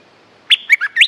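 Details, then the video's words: Stripe-throated bulbul lure recording for territorial birds: a single brisk phrase of four liquid whistled notes, dropping then sharply rising at the end, over a faint hiss. "Suara pikat merbah lekir gacor"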